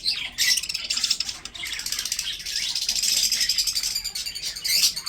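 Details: Breeding budgerigars kept as pets, chirping continuously in a dense, rattling chatter of high buzzy notes with no clear pauses, swelling louder near the end.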